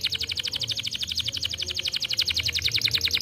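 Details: Singing canary, meant to encourage other canaries to sing, delivering one steady, very rapid high trill of identical pulsed notes throughout, with a faint low hum beneath.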